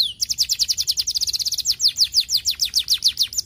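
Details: Song of a young canary, used as bait to draw replies from other canaries: rapid high trill of descending notes that speeds up briefly in the middle, then slows into evenly spaced sweeps.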